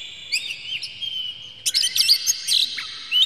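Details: Oriental magpie-robin with a brief lure song for stirring other magpie-robins: a few thin whistles, then a sudden loud cluster of harsh, rapid chattering notes and a final rising whistle.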